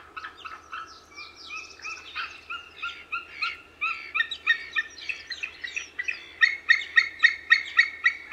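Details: White-tailed eagle calling: scattered yelps build into a fast, regular run of loud, sharp barking notes about four per second, growing stronger toward the end.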